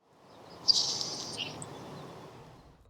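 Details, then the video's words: A Nelson's Sparrow in a Maritimes marsh gives a dry, hissing, insect-like buzz, high and sizzling like bacon in a hot pan, ending in a quieter sputter. "le bruant de Nelson est lui aussi très distinctif avec un chant qui ressemble à celui d'un insecte, comme du bacon dans une poêle chaude."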